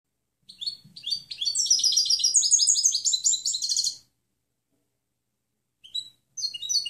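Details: Clean goldfinch song meant to train other birds, a rapid, rolling twitter of high tinkling notes and trills running about three seconds, then pauses broken by short chirps.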